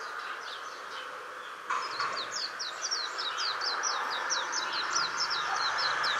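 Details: Japanese white-eye singing at dusk in a tree near a house after sunset: from about two seconds on, a fast run of high thin twittering notes, quick and slurred, over a steady low hum.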